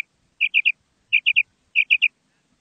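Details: Female quail calling: three clear phrases, each a quick burst of three sharp, high, liquid notes, spaced about every two-thirds of a second against a silent background.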